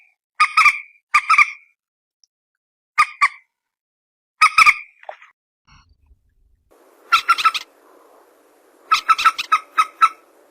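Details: Mobile-phone recording of a common moorhen (peruk/tiung): paired and single harsh croaks, then a burst of rapid chattering notes over a rising background noise.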